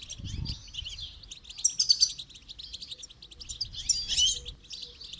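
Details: Goldfinch singing as a training example: lively high twitters and tinkling notes with two brighter, louder bursts, over a soft low thump at the start.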